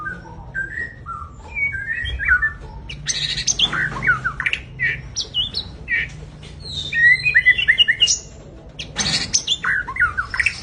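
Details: Big kept white-rumped shama in full varied song: sliding whistles, harsh squawky notes and quick warbled phrases, with some loud broadband bursts mixed in.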